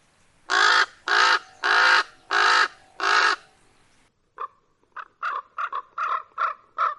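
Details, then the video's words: Common raven giving five loud, grating caws, then shifting to a run of shorter, choppier clucking notes of varied spacing after a brief pause. "Common Raven"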